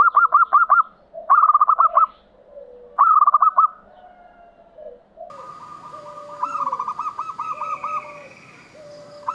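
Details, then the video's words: Local zebra doves sung to trigger silent perkutut: three short bursts of rapid bubbling coos, then overlapping softer cooing from several birds with lower drawn notes and a low background rumble. "JENIS SUARA ANGKATAN PERKUTUT LOKAL AUTO NYAMBER PERKUTUT MACET"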